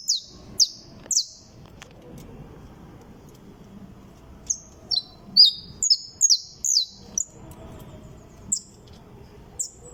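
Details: Saffron finch (canario criollo) song: a few separate high downslurred notes, then a denser run of ringing repeated notes mid-way, then sparse notes again, against a steady low background hum.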